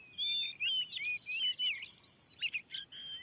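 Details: Wild oriental magpie-robin facing a lure at a new field spot, giving long, clear whistled notes with slides and twists, then softer scattered chirps.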